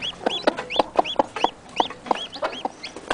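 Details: Chicken chicks just out of the egg, near their mother, peep constantly to keep her close: short rising-falling whistles, roughly three per second, interleaved with regular low clucking beats.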